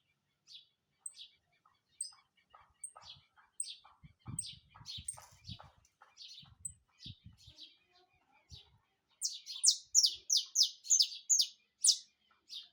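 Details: Saffron finch, called canário-da-terra, bursting into rapid song after a stretch of soft scattered chirps and low background knocks: about ten loud, buzzy, downward-sliding high notes packed into three seconds.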